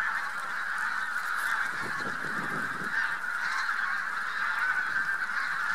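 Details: Massed Bean Geese with a few White-fronted Geese migrating in spring over Central Poland, March 2018: a steady roar of countless honking geese, with a short burst of low rumbling around the middle.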